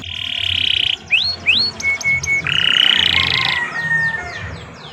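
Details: Canary singing for training: a buzzy trill, rising whistled slurs, a long flat whistle and a harsh buzzy phrase over faint background noise.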